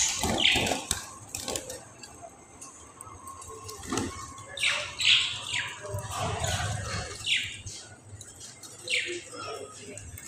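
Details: Pet budgerigars enjoying and eating spinach give bright, scratchy chirps and warbles in quick, irregular bursts, with some low rustling.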